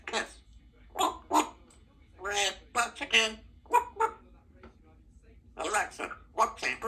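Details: Symon, a female Congo African grey parrot, talks in short speech-like bursts of words and whistly syllables, with a person's voice mixed in and long pauses between phrases; kept as a pet in a country home.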